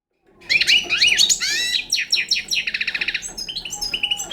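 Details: Young Balkan European goldfinch singing a dense, rapid twittering song of high sliding notes, buzzy trills and short repeated chirps after a brief silent start.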